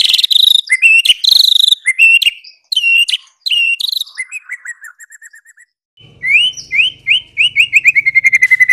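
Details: White-rumped shama, Medan type, with a bright lure song for prompting other shamas: loud high chattering phrases, a soft descending series, then a fast rising trill of repeated whistles over a low hum.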